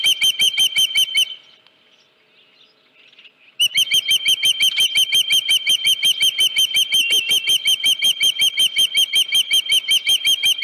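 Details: Osprey calling at a ranch nest on 31 July 2018 around a headless fish: shrill, sharply repeated whistled chirps at a steady fast rhythm, broken by a two-second silence near the start.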